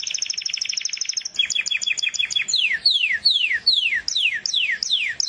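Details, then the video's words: Canary song opening with a fast high trill and a run of clipped double notes, followed by long falling slurred whistles repeated roughly every half second. "زقزقه العصافير طيور الكنار كناري"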